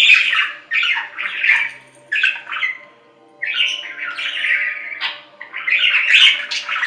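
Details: Budgies squawk and warble in phrases of about a second, with harsh, buzzy twitters and bright squeaks. A near-silent gap falls around the middle before the chatter resumes strongly.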